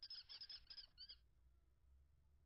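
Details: Common kestrel pair mating at a nest containing five eggs, recorded 21 April 2022. A burst of shrill, squeaky chattering calls lasts about a second, then stops, leaving quiet background hum.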